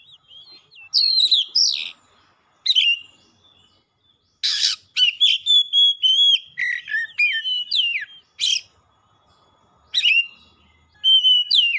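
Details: Oriental magpie-robin singing hard and showing off its repertoire: varied phrases of clear whistles, downward slurs and quick chips, broken by several harsh rasping bursts and short pauses.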